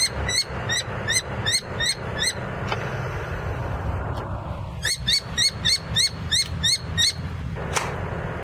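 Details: Juvenile common kestrel, one of young ringed on a church nest in Hrodna, Western Belarus, 6 June 2011, calling very loudly: sharp repeated shrill notes in two bursts separated by a pause, with low traffic rumble beneath.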